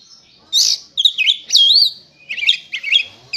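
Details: Oriental magpie-robin (kacer) readied for singing contests, in full persistent song: loud rich whistles with looping, rising and falling slurs, followed by quick twittering notes.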